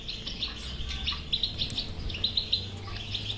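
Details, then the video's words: European goldfinch song in batbata style, meant to make a silent goldfinch sing: a steady series of bright chirps and twitters over a noticeable low hum and hiss. "اذا لديك مشكله في حسونك انو لا يغرد لا تخاف هذه البتبته الحل وعلاج الحسون الصامت بتبته اجرام"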